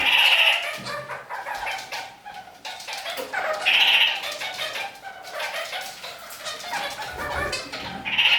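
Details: New Zealand parakeets walking upside down on a ceiling, singing a lot: bright, piercing high notes recur every few seconds among scratchy, chattering phrases, with low knocks and thumps in an indoor space.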